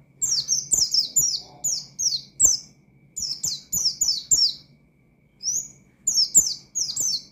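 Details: Oriental white-eye singing loudly in the wild-style 'ngalas' manner to provoke rival white-eyes: rapid bursts of high, thin, down-slurred chirps strung into busy twittering phrases, broken by short pauses, with faint low hum and clicks behind.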